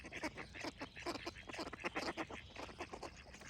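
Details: Ducks quacking in a rapid run of harsh, nasal, repeated calls packed close together, with a busy outdoor background.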